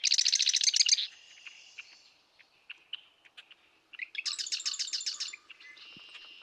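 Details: A Marsh Wren, usually hidden in dense cattails, sings its advertising song: two rapid, throaty trills, each about a second long, with an electric, rattling quality, separated by scattered ticking notes.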